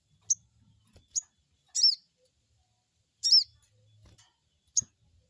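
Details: Crested jay crecet crecet calls, used to stimulate a wild-caught jay to call back: sharp high ticks alternating with two loud arched, buzzy chirps, spaced irregularly over several seconds in a quiet setting.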